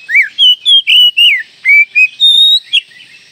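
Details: Oriental magpie-robin (kacer) song in a masteran recording: a fast, continuous run of loud, sweet whistled notes, swooping up and down, about nine phrases in under three seconds, ending in a short note.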